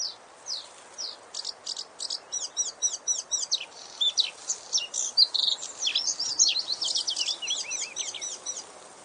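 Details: Small bird singing loudly and fast: rapid series of high, sharply repeated chirping notes, clustered in quick bursts across the whole stretch over a quiet background.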